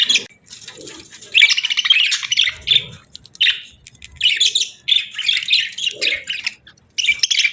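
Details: Budgies chatter in lively bursts of warbled chirps and trills, pausing briefly between phrases, with faint low knocks.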